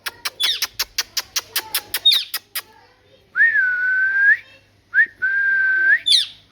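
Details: Pet parrot said to talk starts with a steady train of about a dozen sharp clicks and a squawk, then two long flat whistles with upturned ends.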